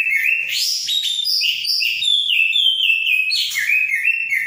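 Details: Orange-headed thrush in vigorous song: a fast, unbroken stream of varied whistles and trills, jumping between high and lower notes with stepwise descending runs.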